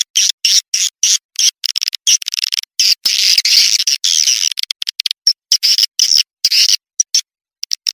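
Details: Swiftlet call sound played to attract swiftlets: dense buzzy chirps, chopped into rapid bursts with sudden silences between them, bright and high with no low sound, including one longer continuous buzzing stretch.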